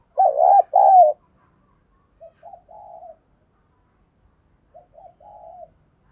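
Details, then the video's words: Spotted dove used as a decoy bird, cooing: two loud hoarse rolling coos, then two quieter phrases of short notes ending in a drawn-out soft coo, with silence between. "tiếng chim cu gáy mồi chuẩn cực hay// Chim cu gáy gù + gáy gọi"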